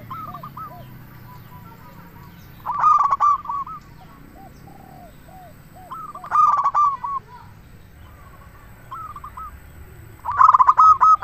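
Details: Local zebra dove singing vigorously, a lure recording meant to make other zebra doves answer: three loud bursts of rapid, rolling cooing notes roughly every four seconds, with softer rising-and-falling coos from other doves in between.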